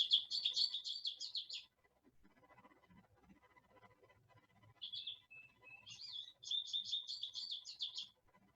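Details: Goldfinch that has been visiting a bird feeder all winter, singing: two bursts of rapid, high, twittering and jangling notes separated by a short pause, with faint low background rumble between them.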